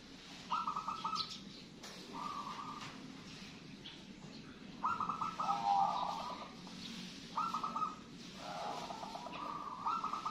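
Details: Zebra dove, a local wild bird singing steadily: soft purring trilled phrases about a second long, repeated with gaps of one to two seconds, some notes sliding lower, against a constant low murmur.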